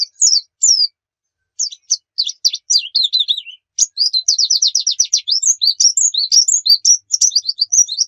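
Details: Pleci lure song for caged birds: a few high whistled notes, then a pause, then rapid twittering that builds into a fast run of sharp, repeated chirps about two per second.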